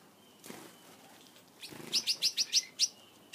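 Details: Caged Gouldian finches growing at ease with their keeper over a favourite food: six bright, sharp chirps in rapid succession, about five per second, preceded by soft rustling.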